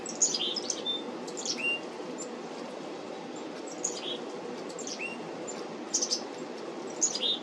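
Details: Black-capped chickadees at a feeder on 17 July 2025 give short high chipping notes, each cluster ending in a brief lower whistled note, in scattered bursts over a steady low background hum.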